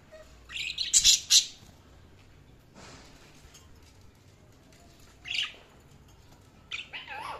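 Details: Budgerigars chirping: a quick cluster of sharp, high chirps near the start, then scattered single warbled chirps after long quiet gaps.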